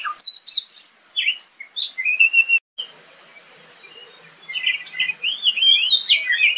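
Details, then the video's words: A wild Oriental magpie-robin sings in the wild, rapid, varied high whistles and slurred notes, with a brief pause midway before a quieter, jumbled stretch of phrases. "SUARA KACER NGOBRA DI ALAM LIAR..TARUNG GACOR"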